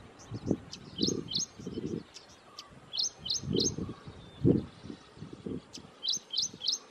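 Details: Ashy prinia calling at Thommana Kole Wetlands: sharp high notes in quick groups of three, repeated several times, with louder low rumbling sounds in between.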